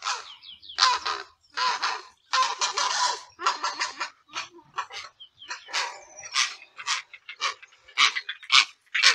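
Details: Grey heron (Ardea cinerea), call.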